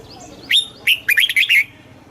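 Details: Caged red-whiskered bulbul, Thailand, in southern master-style song used to excite birds and teach chicks. A high initial whistle, a pause, then a lively string of four or five warbling, looping notes lasting about a second.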